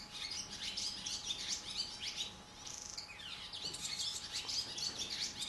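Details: Barn swallows at a nest in a cow barn, adults flying in and out to feed the babies; dense, high twittering chirps and warbled notes run almost continuously, with several birds overlapping and a steady low electrical hum beneath.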